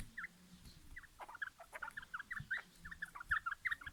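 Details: Fighting quail, recorded 2020: brief clipped chirps fired in uneven quick runs, some paired, with scattered clicks and soft background noise.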